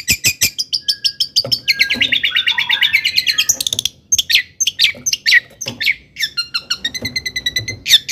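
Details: Long-tailed shrike in lively, full song, used to provoke other shrikes into excitement. A rapid string of sharp clicks gives way to a warbled rising run, then mixed chattering notes and a fast trilled series near the end.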